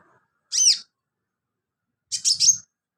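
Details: Sunbird giving two short bursts of high, sharp chirping notes with a falling slur, about a second and a half apart, used as filler song for training birds.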